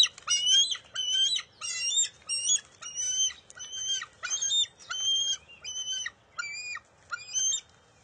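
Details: Bald eagle young in the nest, June 23, 2021, tussling with its mother over a fish: a run of about eleven thin, high screeches that begin loud and gradually grow quieter and sparser.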